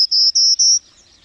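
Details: A Prairie Warbler sings three short, very high, buzzy notes in quick succession, each phrase a touch higher than the last, then falls silent.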